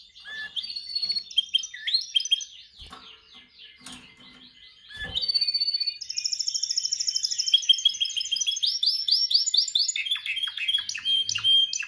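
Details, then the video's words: A canary practices its song during singing training: mixed chirps and warbles, a short pause with a few clicks, then a fast buzzy high trill followed by quick rolling series of repeated rising syllables. "Your canary sings immediately when he listens to this canary singing"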